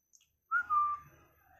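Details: A pet talking Indian ringneck parakeet gives one clear, slightly falling whistle of about half a second, which trails off into faint room noise.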